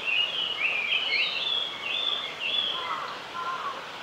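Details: A male Japanese paradise flycatcher sings at Oiso, Kanagawa, Japan, on 22 May 2020: high, sliding whistled phrases, then a few lower, softer notes near the end, over a steady background hiss.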